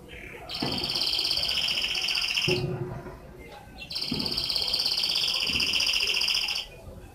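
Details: Canary whistling: two long, loud, high rolling trills, each lasting about two seconds with even rapid pulses, separated by a short pause with a few lower notes and background noise.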